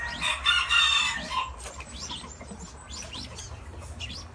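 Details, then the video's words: Mandarin ducks give a louder, harsh harmonic call, then several thin, high, upward-sliding whistles in quick succession, over a low background hum. "Amazing mandarin duck sound"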